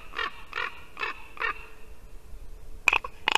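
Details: Four spaced, throaty croaks from ravens visiting a white-tailed eagle nest in Latvia, 2 December 2019, morning, followed by two loud, abrupt, harsh calls.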